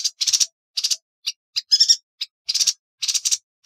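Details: Yuhina song for masteran: clipped, high, scratchy notes and short rattles tumble quickly, with one clearer whistled trill near the middle and tiny silent spaces between bursts.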